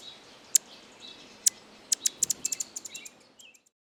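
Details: Argentine hummingbird giving thin, very high ticking chirps, first scattered singly, then in a quickening run of about ten notes that fades out, followed by a few soft lower twitters before silence.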